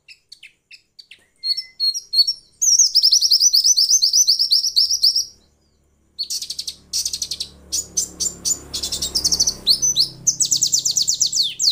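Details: White-eye singing, presented as a female's voice meant to make males call quickly: scattered ticks, a long fast buzzy trill, then choppy high chirps over a low rumbling background hum.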